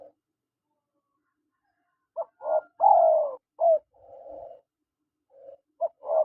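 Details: Spotted dove, male and female calling: after a silent start, a series of short rising notes and a longer descending, throaty coo, then a softer buzzy coo and further short notes near the end.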